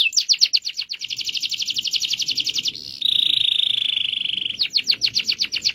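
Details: Caged canary singing a long rolling song: a rapid pulsing trill, a sustained even whistled tone lasting over a second, then the fast trill returns, with soft low background noise.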